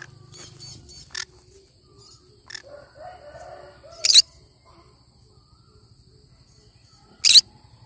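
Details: Cinnamon green-cheeked conure with a few scratchy chirps early on, then two sharp, harsh shrieks about three seconds apart, plus a low hum at the start.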